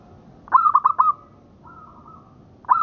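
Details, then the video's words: Zebra dove, local strain, singing for tutoring: a stuttered phrase of whistled note plus three fast coos, then a softer long drawn whistle, and a new phrase starting at the end. "Suara Perkutut Lokal Buat Masteran"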